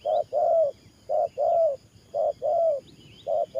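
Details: Decoy spotted dove cooing rapidly in 'thổ pha' style. Repeated pairs of a short coo and a longer, slightly rising one follow about once a second. Faint high chirps of other birds are heard.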